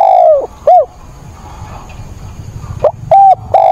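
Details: Stormy-day cooing from a caged decoy spotted dove on 28 October, meant to provoke wild birds. A long falling coo and short note, a quiet rainy gap, then a new phrase with a quick note and two drawn hoots.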